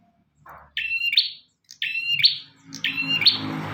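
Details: Bar-winged prinia in vigorous song for bird training: three quick high phrases, each a whistled note bending up into a buzzy trill, about one per second, with faint low noise underneath.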